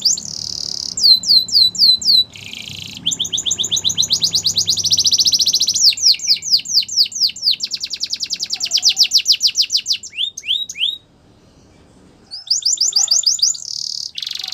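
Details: Long morning song from a yellow canary, cycling through rapid trills, dry rattles and slurred whistles, falling silent briefly before resuming with more trilled phrases.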